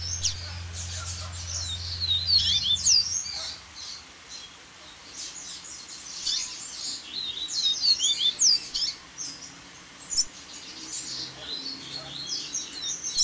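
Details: Several Double-collared seedeaters deliver varied songs over a waterfall: long stretches of overlapping high twitters, chirps and quick whistled slurs in waves, with a low hum at the start and steady water.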